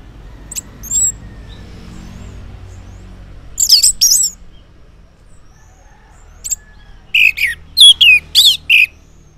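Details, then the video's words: Orange-headed thrush singing in the morning as a lure to make silent males respond: scattered high whistles, a short loud phrase, then a closing burst of descending whistled notes. "Cocok Buat Pancingan ANIS MERAH Ngeplong di Waktu Pagi Hari Yang Macet yang Bisu Kalo Jantan Nyaut.."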